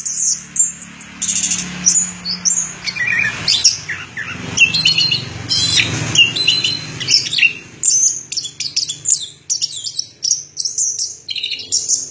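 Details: Orange-headed thrush singing a rapid, varied jumble of high chirps, trills and short whistled notes in dense bursts, over a low steady hum in the background.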